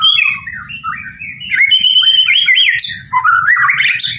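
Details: White-rumped shama song: clear, rich whistles stepping up and down, then a burst of rapid, rising slurred notes, loud and continuous with a faint low rumble behind.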